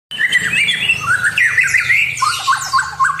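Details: White-rumped shama in full song, used to provoke a rival into agitation: a rapid, varied run of clear whistled notes and short slurred phrases, mostly mid-to-high pitched, delivered without pause.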